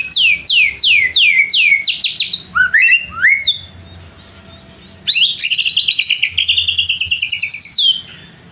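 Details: White-rumped shama (murai batu) song as a lure to goad rivals into singing: a series of about eight loud, downward-sweeping whistles, lower slurred notes, a short lull, then a dense, high, rapid trill.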